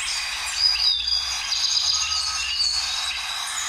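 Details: Orange-bellied Euphonia from Río Blanco reserve, Caldas, Colombia, a subspecies with a less orange belly: high thin whistles and chirps, some sliding down, mixed with buzzy notes, against a soft hiss.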